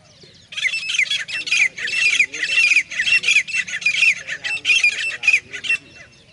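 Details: Grey francolin giving a long, rapid run of harsh, shrill squawking notes in a dense rhythmic series lasting over five seconds, with faint low background noise.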